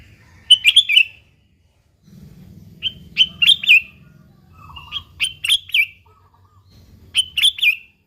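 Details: Eager gacor singing of a kutilang (sooty-headed bulbul), used as a lure for other bulbuls: four bubbly, warbling phrases spaced about two seconds apart, some opening with a single short note, over a low steady rumble.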